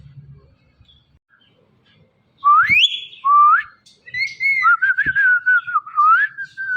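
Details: Pet rose-ringed parakeet, a talking parrot: after a quiet start, a loud rising whistle, a short upslurred note, then a run of wavering whistled phrases with soft clicks between.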